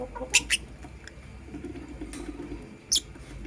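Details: Lovebirds, a blue opaline and a green personata, in the morning; quick pairs of shrill, high chirps followed by a pause and another loud squeak, with soft low chatter in between.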